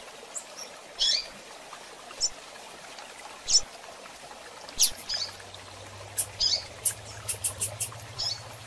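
Female double-collared seedeater giving short, high, thin chip notes at irregular intervals, clustering toward the end, over a faint low hum.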